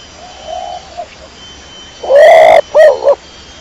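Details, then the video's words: Pigeon ('dara kecor'): soft faint cooing at first, then one loud drawn-out harmonic coo and a short pair of clipped notes near the end. "THE SOUND OF THE PIGEON CLEAR SOUND"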